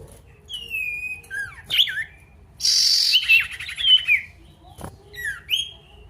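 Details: Male pied bush chat challenging an opponent with a long level whistle, sharp dropping notes, a harsh rasping burst and a chattering run, then a final rising whistle.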